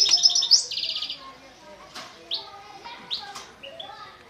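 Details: European goldfinch in Constantine, opening with loud, high buzzy trilled phrases, then spaced, rising chirps and twittering notes that fade to softer, scattered calls.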